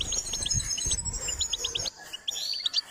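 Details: Goldfinch in song training, singing short repeated chirps high in pitch over a thin sustained whistle, with low rumbling background noise in the first half.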